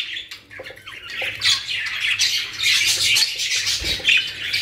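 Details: Several captive budgerigars from a home collection in Pakistan chatter in a fast, scratchy warble with quick squeaky notes, the noise building louder in the second half.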